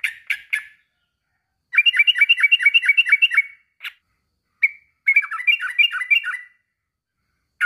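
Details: A male sooty-headed bulbul calls to a rival with short sharp chirps, a rapid rattling series of bubbly notes, a lone clipped note, then another quick chattering run.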